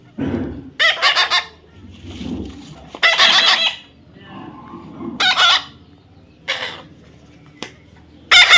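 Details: Young parrot screeching in rough, broadband bursts, some short and some longer, at irregular intervals, with soft low sounds between the calls.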